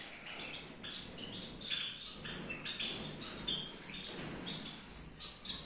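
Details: Captive Gouldian finches in a breeding aviary setup in Peshawar give overlapping high chirps and several thin, slightly descending whistles over a low background hum.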